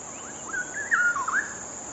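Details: Energetic straw-headed bulbul song, a short bubbling burst of smooth slurred whistles swooping up and down before ending in a quick twisting flourish, backed by constant high-pitched hiss.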